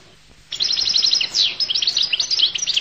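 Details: Goldfinch of the Collo (القل) type bursting into continuous, rapid high twittering, tinkling notes and little slurred trills that run unbroken for over two seconds.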